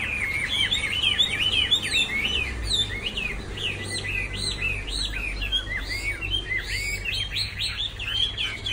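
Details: Song of a Chinese hwamei, fast repeated whistled notes bending up and down, delivered in dense bursts almost two per second, rich and varied throughout, over a faint low background rumble.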